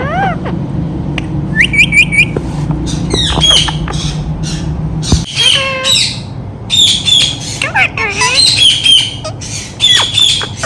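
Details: Pet Indian ringneck parakeet calling loudly: clipped squawks, rising whistles and bursts of harsh chatter come in irregular runs, while a person repeatedly coaxes it with "come on" over a low steady hum.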